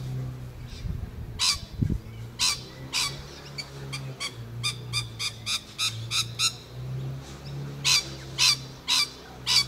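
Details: Rainbow lorikeet on 11 November 2014 calling almost continuously, a rapid string of sharp, grating screeches, some paired, roughly two per second in bursts, after a brief low thump, with a steady low hum behind.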